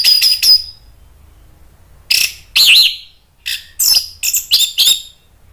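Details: Orange-headed thrush, caged, calling back in response to a lure recording; loud, harsh high-pitched bursts in clusters, three quick notes then a pause, then a run of about seven rapid rasping bursts.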